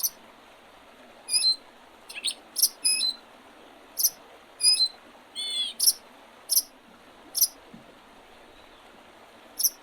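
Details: Early spring birds by the Oredezh River, Leningrad Region, Russia, 8 April 2023: scattered high chirps, short twittering notes and sharp pips, plus one rising warbled phrase mid-way, with a soft steady background hiss.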